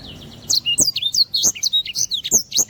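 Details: Black-throated canary singing vigorously, a tutor recording for other birds. Quick bright whistles and twittering phrases run almost nonstop, high and sweeping, with brief clicky accents.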